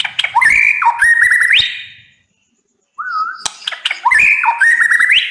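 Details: White-rumped shama, called murai batu, singing a loud, energetic song: rich whistled phrases sliding and rising, mixed with sharp clicking notes, a short gap of silence, then a single pure whistle and the varied phrases returning.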